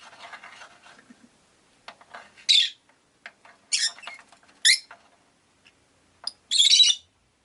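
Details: Caged rosy-faced lovebirds, five birds by a window, trade loud harsh screeching chirps at irregular intervals over low chattering twitters.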